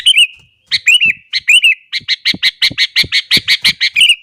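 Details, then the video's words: Sooty-headed bulbul singing energetically in the morning to stir up other bulbuls: a few warbled phrases, then a fast, even run of about a dozen bright repeated notes. "burung kutilang gacor kesetanan yakin bikin tilang lain langsung naik emosi"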